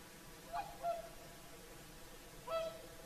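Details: Whooper swans singing at sunset on the shore of Lake Saimaa, Finland, in the evening; three clear trumpeting, bugle-like honks, two close together, then one after a pause, over quiet background hiss.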